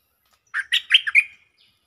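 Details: Stripe-throated bulbul song used as a lure: one short, bright phrase of five quick notes, rich and slightly burry, the last note drawn out and trailing off, with silence around it.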